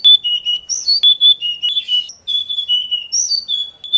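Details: Oriental magpie-robin song for training caged birds, suited to morning or evening: bright sustained whistles with falling and rising slurs, a short pause midway, then the phrase resumes.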